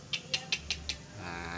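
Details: A young Javan grey-cheeked bulbul, about a year old and thought to be female, gives five short, shrill notes in quick, even succession, about five a second, followed by a steady background hiss.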